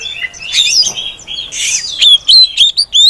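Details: Lure song of a female Oriental magpie-robin, meant to prompt other magpie-robins to sing: a rough, scratchy warble, then three or four loud, clean whistled notes close together.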